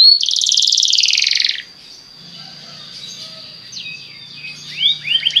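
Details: Singing Belgian canary, played to encourage other canaries to sing, opens with a dense buzzy high trill lasting over a second, then falls quiet apart from a few faint chirps before sharp rising notes return near the end.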